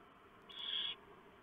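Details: Barn owl nest at night, November 2015: the male has delivered a big mouse and the female tears it up for the owlets; a single breathy, hoarse screech of about half a second.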